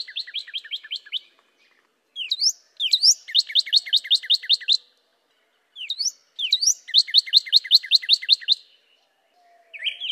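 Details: Loud, clean cardinal song with two bursts of quick repeated chip-like notes, each burst opening with a few sweeping upward whistles and separated by short silences.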